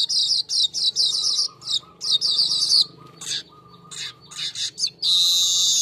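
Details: Golden-headed weaver song used as a lure recording for training cage birds: harsh, buzzy high-pitched chattering bursts in quick series with short gaps, ending in a long rasping buzz.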